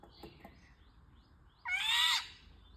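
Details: Indian golden oriole giving a single harsh, nasal, cat-like call of about half a second, broad and grating with a slightly arched, falling shape; faint clicks and rustles before it.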